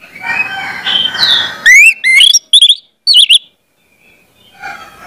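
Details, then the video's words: Song of the Orange-headed thrush for teaching spotted young birds to sing: a soft, noisy warble first, then loud rising whistled slurs and twisting phrases, followed by near silence. "pancingan anis merah, trotol dengarkan ini pasti jadi calon gacor bos ku"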